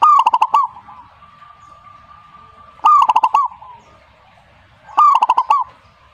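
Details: Zebra dove, or perkutut, singing back, taken as a mark of a fine bird: three crisp phrases of rolling pulsed coos, each a rising coo then quick beats, with a thin steady tone between phrases.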